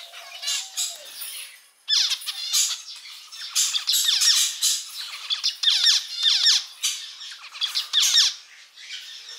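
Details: Male zebra finch kept as a pet sings a repeated motif: after a soft low whistle, clusters of buzzy, downward-sweeping nasal notes arrive in bursts about every second, with sharp high ticks between.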